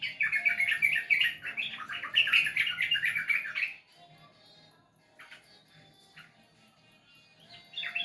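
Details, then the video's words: Loud, dense bubbling chatter and warble from a sooty-headed bulbul for nearly four seconds, then near quiet with a few faint distant chirps. "Terapi burung trucukan malas bunyi...dijamin ngeder"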